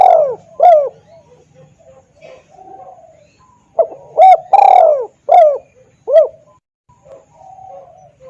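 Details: Spotted dove call played as a lure for wild doves, loud and clear: two quick mellow coos, a quiet gap with soft murmurs, then a burst of hooted notes including one long sliding coo.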